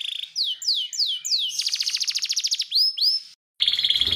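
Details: Several male canaries singing: repeated descending whistled sweeps, then a fast trill of rapid buzzy notes, a few upslurred whistles, a brief silence, and a harsh chattering burst.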